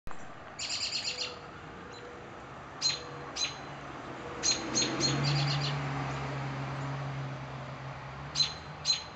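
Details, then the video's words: American robin nestlings about one day old in a nest two feet off the ground in a newly planted arborvitae hedge beside a deck give faint, thin, very high peeps in short clusters and single notes over a low steady hum. "baby robins"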